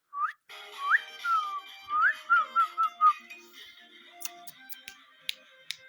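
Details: Pet rose-ringed parakeet indoors giving a quick series of clear whistled notes, some sharply rising, others short falling slurs, over about three seconds, with a steady tonal hum behind and scattered sharp clicks afterward.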